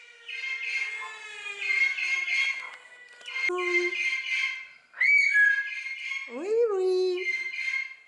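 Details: Talkative common hill myna at a bird garden zoo in Upie, Drôme, France: long harmonic whistled notes held steady, broken by quick rising and falling swoops and a low hooting tone.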